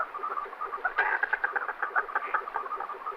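Common merganser giving rapid, harsh croaking notes, several per second, in a steady rough chatter with slight rises and falls.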